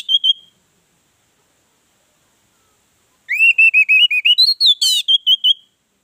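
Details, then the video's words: Orange-headed thrush singing as a lure for other birds: a brief whistle, a long silence, then a fast, wavering whistled phrase with a harsh buzzy note near its end. "Pancingan ampuh Anis merah bikin yang lain bersuara"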